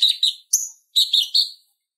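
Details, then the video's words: Purple-throated sunbird (konin) song, a recording for tutoring other songbirds: quick high chirped notes in two short bursts split by a brief pause. Clean background, no other sounds. "Suara Ocehan Konin Gacor Tajam Ampuh Buat Masteran Kolibri Ninja | Purple-throated sunbird"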